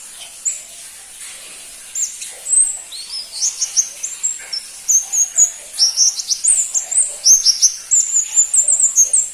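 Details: ['Very high, thin, rapid notes from a crimson-breasted flowerpecker (pentis pelangi). A quiet start gives way to a busy stretch of sharp upslurred and downslurred chips strung together at irregular intervals, with little else audible.']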